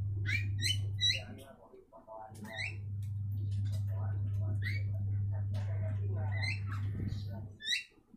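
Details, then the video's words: Javan mynas singing back and forth, a series of short rising whistled notes with bright overtones, repeated several times a second in bursts, over a steady low electrical hum. "Jalak Kebo Saling Berkicau"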